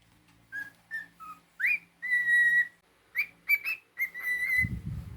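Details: Male pet cockatiel whistling a tune: brief rising and falling notes, then a long steady whistle, followed by quick upward-swooping notes and another held whistle, with a soft thump near the end.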